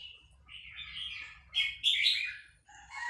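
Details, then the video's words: Vietnamese red-whiskered bulbul delivering a continuous fast run of linked phrases while excited by a recording of hatched chicks; quick bubbling, slurred whistles that rise to a loud ringing peak, then dip and resume. "นกกรงหัวจุกเวียดนาม ต่อดอกเร็ว เปิดยั้วลูกนกฟักแล้วคึกร้องตาม"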